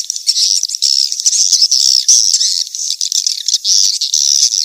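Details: Swiftlet calling lure, mating-chase type: harsh, buzzy high-pitched chatter in overlapping bursts, with smooth whistled tones rising and falling through the rasping texture.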